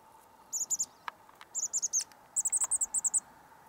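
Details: Chirping chestnut-backed chickadees on Douglas Island, Juneau, Alaska, 19 March 2020: three bursts of very high, thin chips, the first two of three or four notes each and the last a rapid run of about eight notes, with faint taps between.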